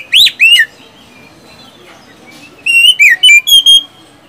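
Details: Oriental magpie-robin whistled song, used to coax reluctant caged magpie-robins into singing: two loud rising-falling whistles, a two-second quiet gap, then a fast cluster of bright whistled notes.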